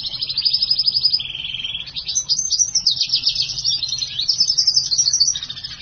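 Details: Black-hooded siskin crossed with house finch, kept caged, delivers long unbroken twittering song: fast high trills, a brief lower buzzing trill, then rambling varied warbles and chatter sustained throughout.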